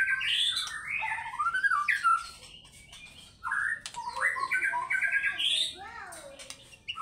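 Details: White-rumped shama song used as a lure for fighter birds: varied rising and falling warbled phrases in a mid-high register, mixed with scratchy chatter, with short breaks between bursts.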